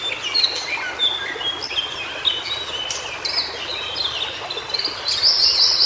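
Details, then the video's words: Wild White-browed shortwing (cingcoang biru) in Indonesia, in natural habitat, delivering a hurried string of high chirps and twisting whistles, ending in a brighter rapid trill-like burst, with background hiss throughout. "Suara Burung Cingcoang Biru Di Habitat Aslinya"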